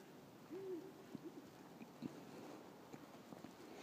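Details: Great horned owl, one of a male and female pair calling back to a person: a faint, distant low hoot just after half a second, then a few softer short notes, under steady hiss and rustling.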